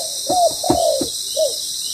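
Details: Spotted dove calling during ground-decoy trapping; two drawn, slightly descending coos then a short third note, mixed with a few sharp knocks, steady hiss behind.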